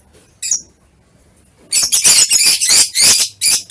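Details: Lovebird calls recorded on 21 March 2023: one short high squeak, a pause, then a loud run of harsh, broadband chirps and squawks.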